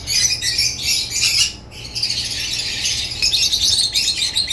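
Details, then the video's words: Shrill chattering of African lovebirds, a dense run of squeaky chirps, a brief quiet moment, then continuous high twittering again. "Lovebird chirps sounds"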